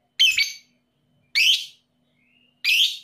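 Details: Loud, raspy lovebird squawks, labelled 'paud emosi' and used as a lure to trigger singing in quiet lovebirds; a doubled shriek opens, followed by two single screeches about 1.2 seconds apart.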